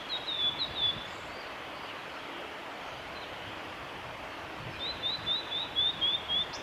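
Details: Spring song of a male blue-and-white flycatcher, Kanazawa forest road by Lake Miyagase, Japan, 25 April 2016: two high phrases of quick, slightly descending repeated notes separated by a pause, against steady background noise.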